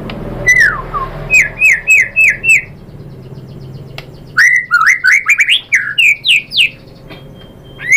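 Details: White-rumped shama song played as a lure to provoke a bird into singing: a few slurred whistles, then clusters of rapid rising and falling chirps, separated by short gaps.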